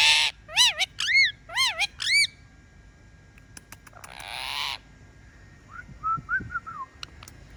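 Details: Pet talking parrot whistling: four quick wavering whistled notes in succession, a harsh broad rasping squawk around the middle, then soft short warbled chirps trailing off toward the end.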